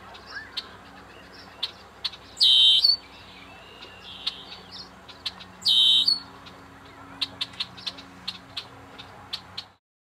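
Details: A Red-winged Blackbird at Fort Loudoun Lake, Lenoir City, Tennessee, on May 31, 2009, gives two harsh, buzzy trilled songs about three and a half seconds apart, with soft scattered ticks and chips between.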